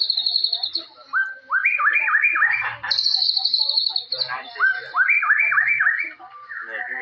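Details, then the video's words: Forest white-rumped shama from Indonesia singing a song full of cililin-style shots: long high trilled phrases alternating with runs of quick upward-flicking whistles, repeated in loose cycles. "Murai Batu Gacor Full Nembak Jalilin"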